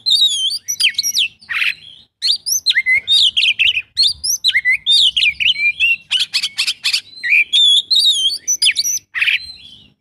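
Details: Oriental magpie-robin delivering a full isian song, packed with quick sliding whistles, chattering phrases and harsh rasping bursts, delivered continuously with only brief gaps.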